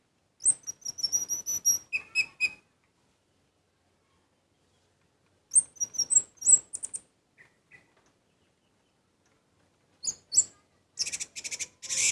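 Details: Orange-headed thrush singing actively: scattered bursts of high, squeaky, chattering notes in short groups separated by silent pauses, ending in a dense run of rapid buzzy chips.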